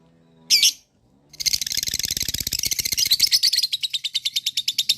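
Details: Lovebird long ngekek trill used to provoke other lovebirds into answering: one sharp squeak, a brief pause, then a dense buzzy rattle breaking into a rapid series of shrill high notes.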